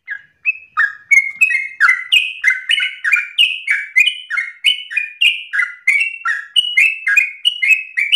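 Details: Yellow-vented bulbul singing energetically in the fast, insistent ropel style, meant as a lure and model song for other birds: a dense run of short liquid slurred notes, rising and falling, pouring out several per second without pause.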